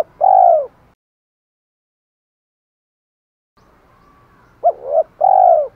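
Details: Spotted dove challenge calling and calling to hens. A long falling croon, a silent gap, then a full phrase: two short hooked coos and an extended mellow note.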